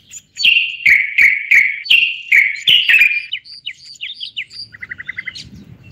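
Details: Moroccan common bulbul on a live broadcast: a series of full, slurred whistles falling in pitch with clicks between them, then quick upward-flicking notes and a rapid string of short chips.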